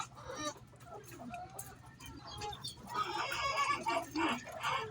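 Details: Chicken calling before laying an egg, quiet scattered clucks at first, then louder rough squawking notes bunched together in the final two seconds.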